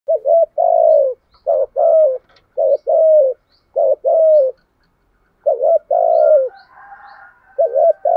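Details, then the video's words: Spotted dove decoy bird giving trained 'thúc gù' and 'gáy luân khổi' cooing: low, mellow two-part coos, a short rising note then a longer falling one, repeated in quick succession, with a faint higher murmur near the end. "chim cu gáy bài bản thúc gù bài bản kích bổi là gáy luân khổi"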